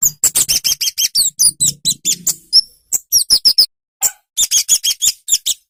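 A small songbird gives rapid, very high, sharp chirps and ticks, about six a second, in bursts broken by brief pauses, with one thin whistle between them.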